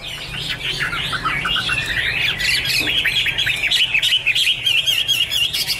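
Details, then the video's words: Chinese hwamei song recorded in 2017: fast, jumbled whistles and chattering slurs that build into rapid repeated rising notes near the end, with a low hum in the background. "Angry Birds Dance and Sing| Iron Ax Blade Cut Wood| Bird Chinese Hwamei 2017"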